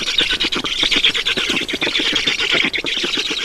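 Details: Black storks in Estonia, nest feeding, 7 June 2019 at 16:18. Shrill, hoarse squealing notes tumble out rapidly and continuously, forming an unbroken, pulsing stream of sound.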